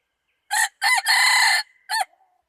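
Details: Red junglefowl crowing, recorded 24 February 2019: a brief opening note, a quick doubled note, then a long harsh sustained note lasting about half a second, followed by a short clipped final note. Background is quiet.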